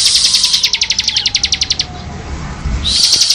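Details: Bar-winged prinia song for songbird training: a rapid series of sharp, high chipping notes that fades after nearly two seconds, then a loud buzzy hiss rises at the end.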